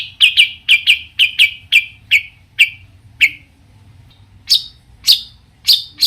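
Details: Long-tailed shrike singing variations that rile other shrikes into replying: a rapid run of short harsh chips, about two per second, then a brief pause and a few higher, sharper notes.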